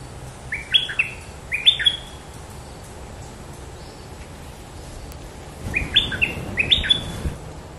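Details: Red-whiskered bulbul in a 'sai chiao' style song that ends quickly: two short bursts of three to four bright, slurred whistled notes early on, a pause, then two more similar phrases near the end, over low steady background rumble.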